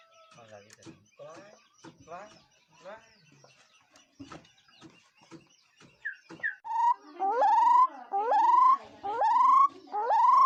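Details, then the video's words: Bird call series in which loud rising-then-level whistles, repeated about every 0.7 seconds, follow a stretch of softer clucking and chattering sounds at the start. "เสียงนกขอ.,suab noog yij liab quaj zoo heev"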